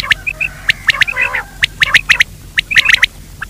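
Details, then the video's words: Daytime quail lure call: rough, clipped squawks and sharp clicks mixed with brief bright piping notes, delivered in an uneven stuttering rhythm. "Batir ki awaz Quail sound for day part 2( دن کے بھلانے کے لئے)"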